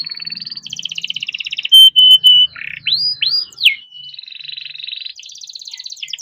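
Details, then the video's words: Kept canary singing a long, dense gacor song in ngerol and nembak style, used to prompt silent or young canaries to sing; buzzy high trills, then pure whistled notes, swooping slurred phrases and fast rattling runs. "burung kenari gacor panjang nembak rapat cocok buat pancingan kenari macet"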